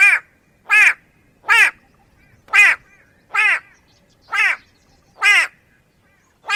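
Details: White-bellied go-away-bird giving a harsh, nasal, drawn-out cawing call, eight loud notes spaced about a second apart with slightly uneven timing, in a quiet background.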